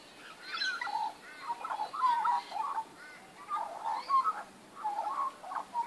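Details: Magpie song from a backyard on 19 April 2014: a steady flow of warbled, yodelling phrases with fluty upward and downward slurs, given in clusters about every second.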